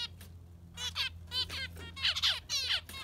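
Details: Yellow finch giving a concert: bursts of harsh, buzzy, harmonic chirps in quick clusters, with bright squeaky notes near the end and a low steady hum underneath.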